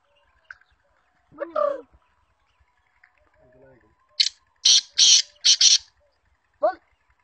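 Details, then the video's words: Female black francolin, a trained bird. After a short throaty note, a run of four harsh, grating, rasping bursts in quick succession is followed by a brief rising squeak. "teetar voice female"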